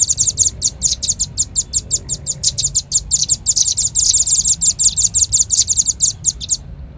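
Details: Bird-luring call of the velvet-fronted nuthatch: an even stream of rapid, thin, high chip notes that grows denser midway before stopping abruptly, over a faint low hum.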